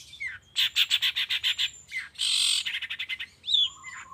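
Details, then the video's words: Long-tailed shrike lure for the morning: a rapid, pulsing, harsh chatter, then a loud grating rasp, more stuttered notes and a final squealing slur. "suara pancingan cendet cendet di pagi hari YANG BIKIN CENDET MACET sekalipun IKUTAN BUNYI toet toet"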